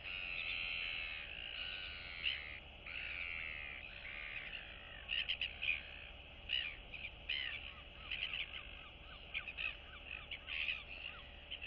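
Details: Two royal albatross chicks interact in a colony, 9 September 2022, one young and still downy; a drawn-out rasp gives way to quick clicking, chattering bursts against a continuous hiss.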